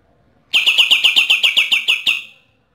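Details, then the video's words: Rapid-fire 'AK-47' burst from a Bornean green leafbird of East Kalimantan, Borneo: about ten sharp, bright notes fired quickly and evenly, trailing off at the end. "Cucak ijo borneo gacor,nembak ak 47"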